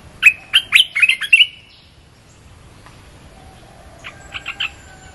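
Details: Red-whiskered bulbul song played to lure wild birds: a lively phrase of bright, warbling, slurred notes, then a pause and a softer, quicker cluster of chirps.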